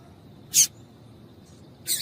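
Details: A female double-collared seedeater calls to stimulate singing males, giving two short, high, buzzy chips well over a second apart.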